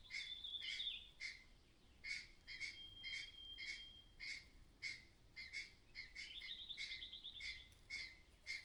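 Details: A mother myna acting strangely, possibly at nearby danger, gives harsh, clattering alarm notes about twice a second, with a thin whistle and a brief rising chatter mixed in.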